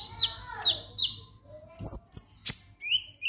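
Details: Konin lovebird calling in 'ngek ngek' fashion to provoke singing: three evenly spaced sharp downslurred chirps, followed by high thin whistles and a final rising squeak.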